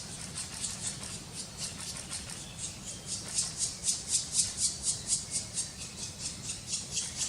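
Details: Black woodpecker nestlings (Dryocopus martius) at feeding time, Karst region of Slovenia, May 2018. Breathy, scratchy bursts come in an even rhythm of roughly two per second, swelling louder midway, with a soft low hum underneath.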